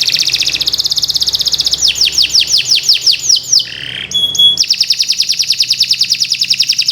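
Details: Canary singing vigorous 'gacor' song, a tutoring master for birds that have stopped singing. A rapid high rattle leads into a run of sweeping falling notes, a short pure whistle, then a long dense buzzy trill.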